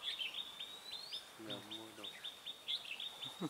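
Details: Red-whiskered bulbul recorded during bird trapping on 18 March 2017, with a decoy bird used to lure wild birds. Short bright warbled notes repeat around a steady high whistle, and a man's voice is heard briefly in the middle.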